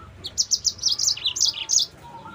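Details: Yellow-fronted canary song used as a lure and tutor for other canaries: a quick sequence of bright, high chirps that shift slightly up and down in pitch over about two seconds.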